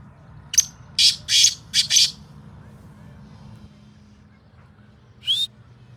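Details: Black francolin in fields, said to be calling for the first time after six months. A short opening note is followed by four harsh, grating bursts, then a lone rasping note some three seconds later. Low background rumble throughout.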